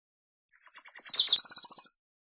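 A Wilson's warbler gives a rapid chattering song of about fifteen high, dry chips, speeding up and dropping slightly in pitch toward the end, lasting under two seconds.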